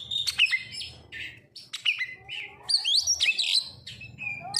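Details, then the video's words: Kacer (oriental magpie-robin) singing a lure song meant to set birds singing: sharp high whistled notes, quick upward and downward slurs and short trills follow one another in a lively, varied stream. "Pancingan Kacer langsung auto gacorr"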